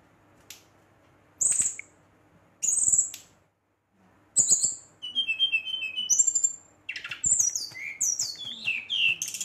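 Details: Brown-chested jungle flycatcher singing at night to provoke rival birds: scattered sharp high notes, then a run of buzzy trills and tumbling descending whistles toward the end.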